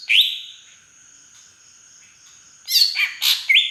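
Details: Aceh green leafbird from Beutong forest, large and native, with drongo-imitating fill-in: a single rising whistle at the start, two seconds of near quiet, then loud harsh chatter and bright whistles.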